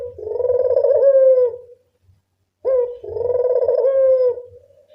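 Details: Local spotted dove cooing for luring: two long, soft, burry coos, each dipping at the start and easing down at the end, separated by about a second of quiet.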